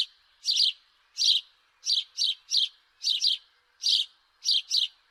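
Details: House sparrow giving a steady run of loud chirps, often paired, spaced irregularly over a few seconds with a faint background hum.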